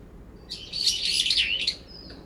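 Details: Brown-eared bulbul, one of two birds fighting over territory in late September, calling angrily over its rival. A single dense, harsh, high chattering squeal of about a second.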